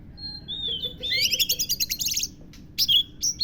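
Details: Kacer, the oriental magpie-robin, in song with lovebird mimicry: a thin whistled note leading into a rapid buzzy chatter of repeated high chirps, then a pause and several sharp squeaky notes.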